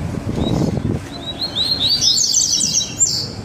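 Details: Double-collared seedeater, two birds together, delivering baderna song: after a low knocking noise, rising high whistles build into a rapid, tangled run of sharp notes lasting about two seconds.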